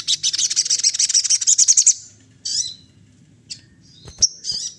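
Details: Sunda laughingthrush singing to stir other birds: a two-second stream of rapid, pulsing high notes, about three and a half a second, ending in sharp whistles. A few isolated chirps and a clear whistled note follow.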